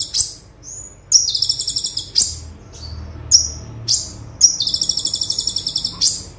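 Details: Olive-backed sunbird 'tembakan' song used as a tutor: high chips and short thin whistles around two rapid, buzzy, pulsing trills, the second lasting over a second.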